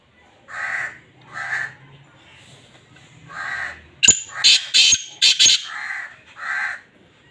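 A black francolin gives harsh, grating notes in pairs, then a loud burst of rasping, crackling calls before the paired notes return.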